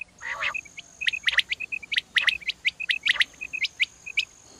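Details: A quail in Pakistan, in a morning recording made for quail hunting, calls with rapid, high chips and short clucking notes, several per second in uneven bursts, over a faint steady hiss.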